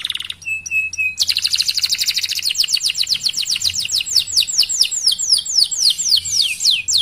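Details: Canary in prolific song, a training recording meant to set other canaries singing: a few steady whistled notes, then a fast rolling trill that loosens into a quick series of slurred, sweeping whistles.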